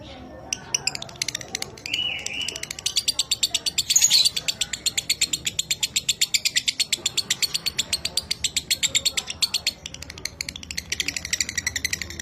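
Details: Lovebird singing minor kering, a dry style of lovebird song used to train pet birds: a steady train of rapid, clipped buzzy pulses, about four each second, with a brief whistled slur early on.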